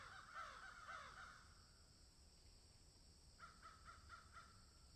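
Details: Field crows give a handful of hoarse, drawn caws, fall quiet, then return with a quick string of five short clipped caws at an even pace.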